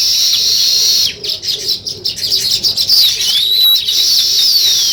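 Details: Weaver birds building their nest make a steady wash of high chattering with thin whistled notes sliding down, broken by a short stuttering pause after the first second.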